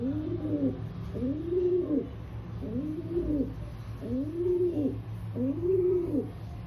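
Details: Indian rock pigeon cooing: low, throaty rolling coos, each swelling and falling, about five in quick succession over a steady low hum.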